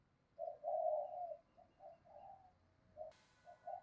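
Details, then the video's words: Spotted dove used as a decoy to draw in wild birds, cooing softly at a distance: a series of muffled hooted notes with a low background hiss, then a sharp click near the end. "Chim Cu Mồi Gáy Gọi Cực Đỉnh, tiếng chim cu gáy kích bổi hiệu quả mỗi ngày"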